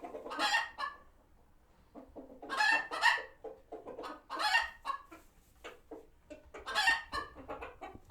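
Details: Chickens at a farm sanctuary alarmed by a hawk spotted nearby; repeated harsh squawking bursts separated by strings of short clipped clucks, several birds calling over one another.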